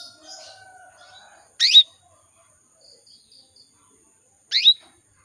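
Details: A female canary calls to attract males: two sharp, high chirps with a falling sweep, spaced about three seconds apart. Faint thin notes between them and otherwise quiet.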